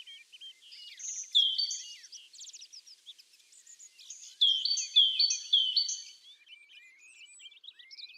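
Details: A tit delivers clipped high whistles in two bursts, the notes stepping in tight pairs. Softer twittering fills the gaps, with faint background noise outdoors.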